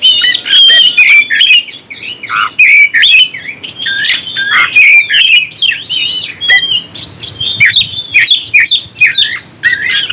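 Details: Provoking song of an oriental magpie-robin: dense, varied warbling with whistles, chatters and scratchy notes, almost unbroken, loud and high-pitched.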